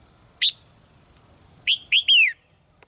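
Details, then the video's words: Red-whiskered bulbul, a caged female giving soft calls to spur a male into stronger singing; a lone bright whistled note, a pause, then a rapid run of three descending slurred whistles. "นกตัวเมียร้องเบา ๆ ในกรงเรียกนกตัวผู้ให้ร้องแรงขึ้น"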